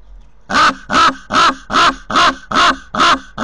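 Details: A common raven at a cliff nest site near Corbera de Llobregat, Barcelona, recorded by a nest camera, gives seven harsh, hoarse croaks in a steady series, roughly two per second, each rasping and even in pitch.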